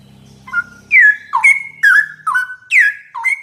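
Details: Straw-headed bulbul singing on a master recording meant to teach yellow-vented bulbuls: after a short low hum, loud fluty whistles with bold downslurs and steady held tones repeat in a quick run.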